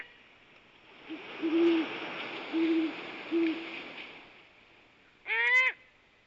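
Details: A courting great horned owl pair: the male gives three deep, soft hoots about a second apart, and the female answers with a louder, harsh, cat-like meow call, over a faint hiss.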